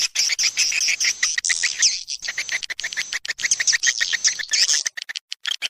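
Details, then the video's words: Swiftlets recorded as a lure to draw birds in: continuous high, buzzy twittering with quick rising and falling chirps, broken by short gaps and a few isolated ticks near the end. "Suara Burung Walet untuk Tarik"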